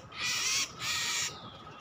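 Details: Kacer, the Oriental magpie-robin, in a trapping lure recording: two rasping, noisy, hiss-like calls, each roughly half a second long, given back to back with a brief pause between, over low steady background noise.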